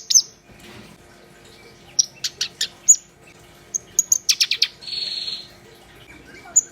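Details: Black-browed reed warbler singing actively, giving scattered high piercing notes, a fast run of dry clicks, and a short harsh buzzy rasp, separated by quiet gaps with a low background hum.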